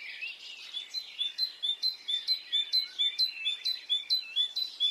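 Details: Birdsong on a spring morning in Brittany: a loud, high, sharp note repeated about twice a second in a steady run, over a softer chorus of other birds at the start.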